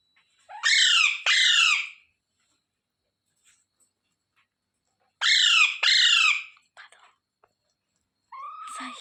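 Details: Rose-ringed parakeet, a pet ringneck, giving paired loud descending squawks, two at the start and two more about four seconds later, with faint clicks between and a lower call at the close.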